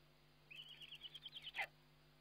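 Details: Eurasian eagle-owl at feeding time, webcam footage from 29 May 2011: a soft, high, pulsed trill of about ten beats ends in a sharper downward squeal.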